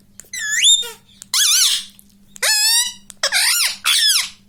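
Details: Indoor pet rose-ringed parakeet says "mummy" over and over: five strident, nasal squeaky phrases with bending, wavering pitch, separated by short pauses, faint hum in the background.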